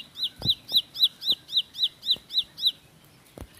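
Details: Ciblek, the Bar-winged prinia, in rapid 'roll speed' song: bright, high down-slurred notes repeated about every quarter second in an even run, then stopping, with a few faint low knocks beneath.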